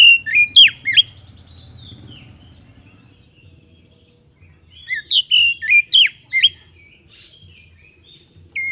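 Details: Magpie-robin song meant to provoke other birds into answering; two bursts of sharp whistled and chattering notes separated by a few seconds of near silence.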